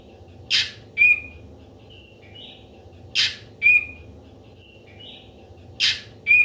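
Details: Ashy drongo song used as a trapping lure: a repeated phrase of a harsh burst, a clear rising whistle and softer slurred notes, recurring about every 2.6 seconds in a steady loop.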